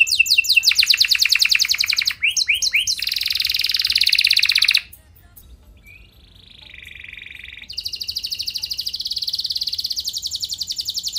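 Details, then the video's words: Canary singing continuously to spur other canaries to respond: rapid chirping rolls and a loud buzzy trill, a quiet spell with a soft low warble, then a bright steady rolling buzz. "Burung Kenari gacor Nembak mantap! Buat Kenar Lain Bakal Langsung Respon Ikut Gacor Panjang"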